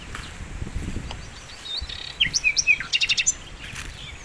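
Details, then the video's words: Vigorous sikatan londo flycatcher song meant for training songbirds: soft low murmur, then quick high whistled slurs and a tight burst of rapid repeated chips, ending with thin upward notes. "masteran mewah sikatan londo gacor"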